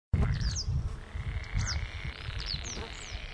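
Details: Several disturbed northern lapwings, flushed from a meadow by approaching people, circle overhead giving thin, slurred, downward-sweeping wheezy alarm calls every second or so over a heavy low wind rumble.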